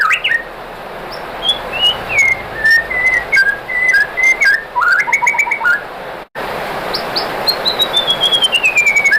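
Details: Song of a white-rumped shama played to stir rival shamas into singing: drawn-out, sliding whistles rising and falling, a stepped melodic phrase, then after a short break a long descending whistle.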